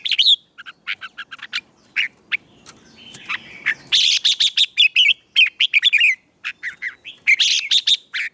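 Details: Red-whiskered bulbul singing in the morning, trained for song contests: bursts of bright whistled, warbling notes in quick clusters separated by short pauses, some phrases sliding up and down, with a faint low rumble underneath.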